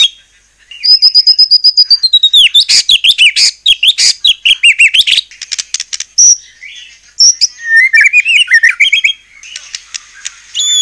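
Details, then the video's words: White-rumped shama, a lure recording to make other shamas sing back, delivers a long rapid series of sharp chipping notes and trills mixed with clear whistles and descending twitters. "murai batu gacor AMPUH buat PANCINGAN murai batu agar bunyi JADIKAN burung murai gacor EMOSI NYAUT"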